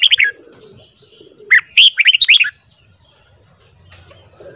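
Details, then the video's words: A red-whiskered bulbul sings in the morning, a track for voice training: a brief warbled phrase, a pause, then a longer run of about eight sharp, liquid whistled notes before quiet returns. "Luyện giọng chào mào hót sáng .kích giọng chào mào hót hay"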